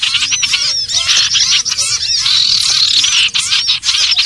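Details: Sirtu (common iora) calls played as a trapping lure: nonstop high chattering with bright whistled slurs rising and falling over a steady wash of rapid chips.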